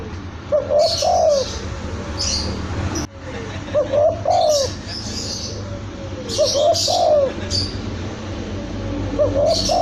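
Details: Young spotted dove cooing: soft, mellow multi-note coo phrases repeated about every two to three seconds. High chirps from other birds and a steady low hum of background noise run through the recording.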